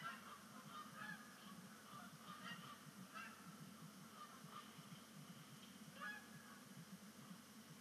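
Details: Canada geese honking faintly at sunset over Sapsucker Woods Pond on 10 5 2019, the season's first splashdown as migration begins; scattered nasal honks sit above a steady low rumble of background noise.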